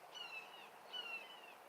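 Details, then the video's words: A hawk calling outdoors, a bird the recordist sometimes sees and takes for a red-tailed hawk: two faint, drawn-out screeching notes, each about half a second and slightly falling, over a steady hiss. "Hey, you hear that? It's a hawk."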